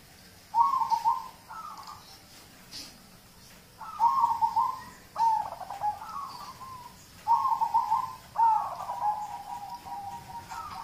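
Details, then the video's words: Local zebra dove singing, its song used to prompt other birds: three groups of soft, trilled cooing phrases, each opening with a bright rolling note and trailing into lower, drawn-out coos, separated by quiet pauses. "Audio terapi perkutut lokal untuk pancingan"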